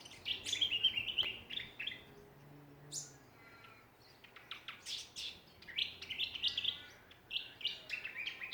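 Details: Australian backyard songbirds at Ballajura, Western Australia, chirping and twittering in bursts: rapid high notes and short whistled phrases, pausing briefly midway before a dense, excited stretch of chatter.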